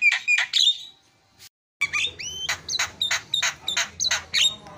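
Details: Javan myna training recording of fast filler song meant to make other mynas call out: harsh squawks, a brief gap, then a rising whistled note and a run of sharp repeated chattering notes, with a low indoor hum underneath.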